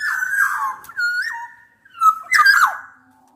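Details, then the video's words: Rival-challenging black-naped oriole song from Javan and Sumbawa birds of both sexes: warbled fluty phrase, a clear whistle with a downward slide, then a loud harsh raspy burst mixed with whistles. "kepodang gacor MENANTANG LAWAN"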